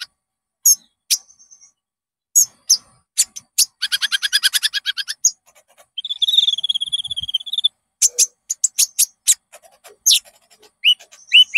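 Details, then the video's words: Konin song used as a lure to make caged konin sing and show their full repertoire: sharp high chirps, a fast buzzy trill, and a wavering whistled phrase, with varied notes delivered in quick bursts against a silent background. "SUARA BURUNG -PANCINGAN KONIN AMPUH JERNIH"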